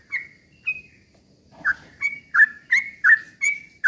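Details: Sooty-headed bulbul song for provoking other birds: two separate whistles, a short pause, then a quickening run of liquid slurred notes about three per second.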